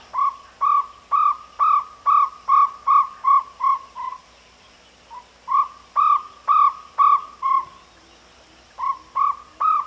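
A Jungle Owlet gives bursts of mellow, hooting notes, about two per second, in runs of several notes separated by short pauses. No other sounds stand out.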